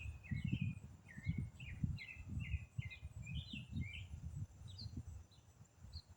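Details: Unidentified songbird in autumn, a single bird singing one complex riff non-stop for minutes: rapid run of short chirpy notes, many slurring downward, packed closely together, over low rumbling thumps of background noise.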